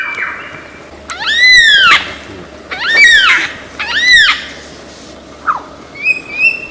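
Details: Lyrebird of Australian forest, a renowned mimic, gives three loud arched calls with rich stacked overtones about a second and a half apart. A short down-slurred note follows, then faint high whistles.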